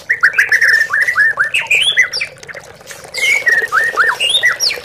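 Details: Murai batu, the oriental magpie-robin, singing on a lure track for captive birds: series of quick downslurred whistles, varied chirps and rising notes, a brief lull, then renewed phrases, with background hum.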